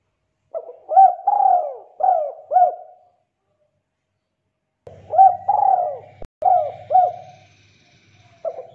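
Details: Spotted dove calling a rival, suited for luring: two phrases of soft, low cooing notes, each a short hooted coo followed by longer drawn, falling coos, separated by a pause, with a faint low hum under the second phrase.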